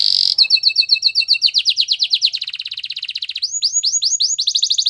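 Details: White Belgian canary delivering quick, clear repeated notes, several per second, that shift into faster rolled phrases and then loud upward-sweeping whistles in steady rhythm.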